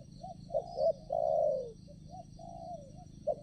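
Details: Spotted dove kept as a decoy to lure wild doves for trapping at a new site: soft, low cooing phrases with one drawn-out falling coo between shorter notes, over steady background hum and a faint high whine.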